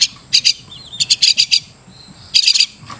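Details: Crested myna, locally Martinez bird, uttering short groups of sharp, harsh high notes, two to six in a group, with quiet gaps between groups.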